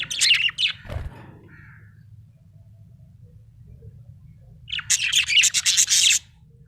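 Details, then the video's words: Happy budgerigar chattering: an opening burst of raspy chirps, a thud, long quiet stretch with faint hum, then a loud rapid run of buzzy warbled notes. "Happy budgie chirping sound"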